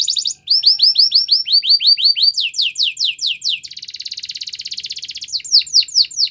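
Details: Training song of a canary in separate tours: evenly spaced rising-falling whistles, then longer downslurred sweeps, a dense rapid buzzing roll, and finally loud descending swoops; no background noise.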